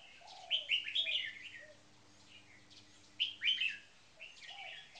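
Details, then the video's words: Caged red-whiskered bulbuls, one a marathon frequency singer, one on its first day in a cage. Two loud bursts of rapid bright notes, separated by quiet, with a few soft low notes and a steady hum. "Marathon Frequency Singing 1st Position Bird"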